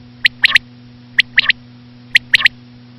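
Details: Common quail (batair), described as a female, calling for use in quail hunting: three sharp three-note phrases, one clipped note followed by a quick pair, about a second apart, over a steady low electrical hum.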